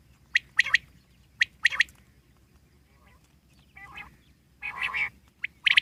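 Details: Wild common quail repeating a quick sharp three-note phrase twice, then softer and louder nasal harmonic calls and another sharp note pair at the end.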